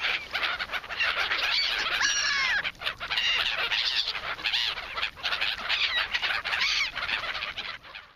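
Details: Flock of seagulls squabbling over bread by the Polish sea, some scenes slowed down: crowded, continuous harsh squeals and quick upward-sweeping cries overlapping from many birds, briefly dipping near the three-second mark.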